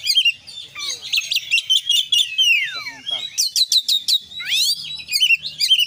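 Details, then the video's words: Oriental magpie-robin (kacer) in full fill-in konslet song: pulsed chattering notes, a long falling whistle, a burst of quick clicks, then rising swooping whistles and chirps, with a faint low hum. "kacer gacor KONSLET full isian"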